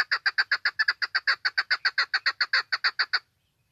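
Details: Female chukar calling, used for hunting: a rapid series of about twenty clucking notes, roughly four per second, steady and evenly spaced, then stopping abruptly; no other sounds.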